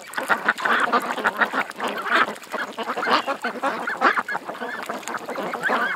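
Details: Many ducks at a creek in a loud, continuous chorus of harsh, nasal quacks, with no pause between calls.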